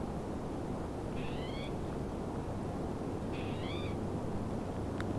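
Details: Trumpeter swans at Upper Crescent Slough in the Squamish River Estuary: two short, nasal, slightly rising honks about two seconds apart over a steady roar of wind or water.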